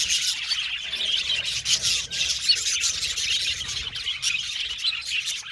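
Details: Happy budgerigars in an aviary colony, a continuous busy chorus of high, scratchy chirps and chatter from many overlapping birds, with short harsher squawks mixed in.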